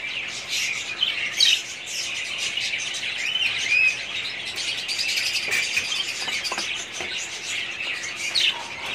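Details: Budgerigars in a breeding colony: a dense, continuous mass of overlapping high chirps and twittering warbles from many birds, with brief louder squawks near the start and middle.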